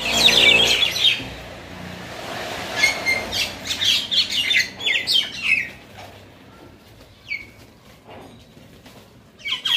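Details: Shalik birds, common mynas, fighting in Talepur, Kalatia, Keraniganj near Dhaka, Bangladesh; loud scratchy chatters and descending squawks in irregular bursts, fading to sparse notes, then a final harsh burst.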